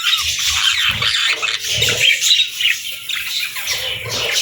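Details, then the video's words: Budgerigar parents with their chicks during feeding: dense, scratchy high chirps and chatter pour out almost continuously, with quick squawky notes packed several per second and no pauses. "Cute Budgies With Cute Chicks 🐦 | Adorable Moments & Chirping Sounds"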